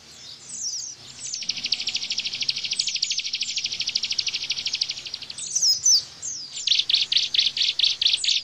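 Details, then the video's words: Bar-winged prinia in 'bren' song mode, recorded as a master song for caged white-eyes: a rapid buzzing trill lasting about four seconds, a few bright chirps, then strong pulsed notes about three per second. "Tembakan Ciblek Bren Untuk Masteran Pleci"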